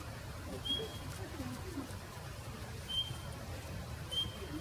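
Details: A male Eurasian bullfinch in Japan gives three soft, pure, high whistles about two seconds apart, each brief and slightly falling, over a steady low background rumble.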